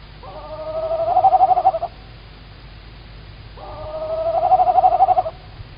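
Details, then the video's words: Female tawny owl, Estonia, March evening 2019, calling near a live camera: two long, hoarse, vibrating calls about two seconds apart, each swelling in loudness and ending in a rapid quaver. "Tawny Owl - Female Owl is calling very close"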